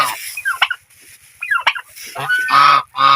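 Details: Geese splashing about in water make scattered short squawks, then two strong, drawn-out nasal honks near the end.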